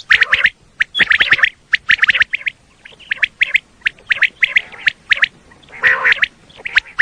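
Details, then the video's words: Common quail call used for quail hunting in Pakistan: quick bursts of sharp, liquid notes in groups of three, repeated about once a second with brief pauses. "Common Quail Call"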